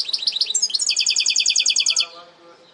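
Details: Goldfinch hybrid giving part of its segmented song. Quick chirping notes run straight into a loud, high, rapidly repeated trill that lasts over a second and stops sharply, followed by low, soft chattering.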